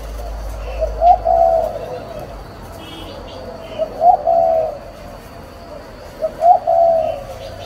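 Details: Parent spotted doves give repeated low cooing phrases roughly every two and a half seconds, each a quick double note leading into a sustained soft coo, with a steady hum behind.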